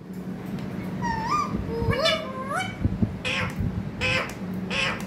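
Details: Talking parrot producing a few rising, wavy voice-like syllables, then three evenly spaced harsh squawky bursts about a second apart, above low background hum.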